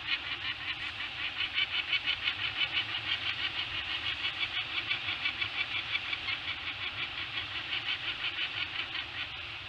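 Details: Peregrine falcon at a nest eyrie on Anacapa, giving alarm chatter during a brief late-morning visit in September before flying off: a harsh, rapid, even series of raspy notes, about three per second, continuing throughout over steady background noise.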